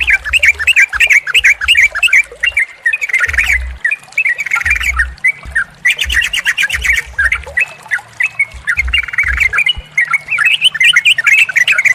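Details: Yellow-vented bulbul song for prompting a non-singing bird to sing. Continuous bubbly, chattering warbles with quick repeated notes, some mixed voices, and intermittent low thudding bumps beneath.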